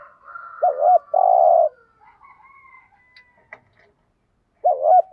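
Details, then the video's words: Spotted dove cooing thúc gù, thổ voice style: a loud double hoot and long burred coo, a stretch of faint higher thin tones and clicks, then the start of another double hoot at the end. "chim cu gay bài bản. cu gáy thúc gù"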